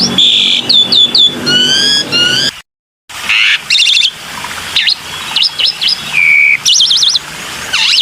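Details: Black-winged myna in a lure recording: a buzzy note, stacked whistled chirps, brief silence, then clicking runs, hooked whistles, a flat buzzy tone and a rapid warbling trill.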